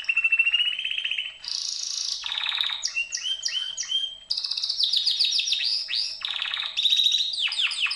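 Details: Canary song in clear segments of fast trills and rolls, a low buzzing tour, a high rattling burst, then rapid repeated notes sweeping downward, each part lasting about a second.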